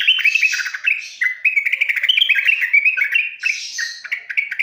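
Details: Sooty-headed bulbul, known locally as trucukan, singing masteran meant to get young birds singing: an unbroken stream of quick lilting chirps and warbles.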